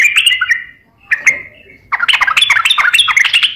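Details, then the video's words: Lure song of a sooty-headed bulbul singing actively, meant to set silent or stressed birds singing: a quick whistled flourish, a lone note, then a busy run of chattering, bubbly whistles. "pancingan suara burung trucukan gacor"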